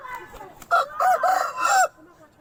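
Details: Aseel rooster delivering a single hoarse crow of about one second, pulsing in three or four linked segments, over a faint background of other birds.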